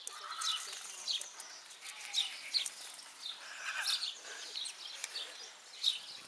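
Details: House sparrows at a zoo, flocking to a table once one bird is fed, keep up a busy stream of sharp, high chirps, several birds overlapping, with louder cheeps every second or so over a faint hum.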